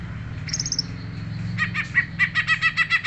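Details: Greater green leafbird singing: a brief high whistled phrase, then a fast series of buzzy pulsed notes repeated about five times a second, over a low steady hum.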